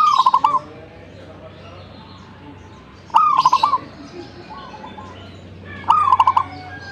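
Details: Energetic zebra dove song: three cooing phrases roughly every 2.8 seconds, each opening with a rising note and ending in a rapid run of bubbly, evenly spaced coos, with quiet gaps between.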